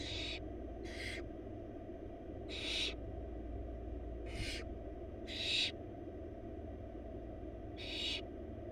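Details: Barn owl young, four wild chicks in a research nest box, begging as their mother brings a big rabbit; short breathy hissing shrieks, about seven spaced unevenly, over a persistent low background hum.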